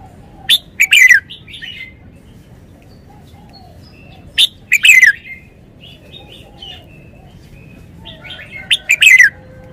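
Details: Red-whiskered bulbul kept in a cage, singing wild-style phleng pa song: three loud phrases about four seconds apart, each clipped notes running into a slurred descending whistle, followed by soft warbling fragments.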